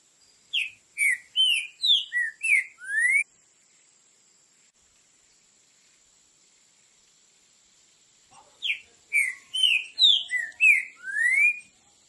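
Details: Two bouts of Green-winged saltator song in the classic Tio João Pedro Boi style, each a string of about seven short whistled notes ending in a long rising slur, with a faint steady high tone throughout and a quiet pause between bouts.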